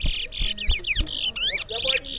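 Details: Towa towa seed finch singing in a singing competition in Berbice: a rapid, loud run of high buzzy trills and sweeping whistled slurs, several rising and falling notes strung together without pause, with faint voices beneath.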